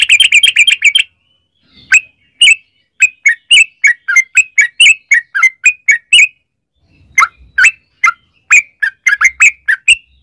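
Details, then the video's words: Yellow-vented bulbul lure song, long 'ropel' form meant to make other bulbuls sing. It opens with a fast chattering burst, then moves to steady bubbling chirps with two short breaks. "trucukan gacor ROPEL PANJANG buat pancingan trucukan agar bunyi jadikan burung trucuk gacor EMOSI"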